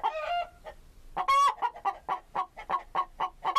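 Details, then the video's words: Chicken clucking busily in quick uneven notes, opening with a drawn-out nasal cackle and punctuated by two loud harsh squawks. "Chicken 2 (Gallus gallu)"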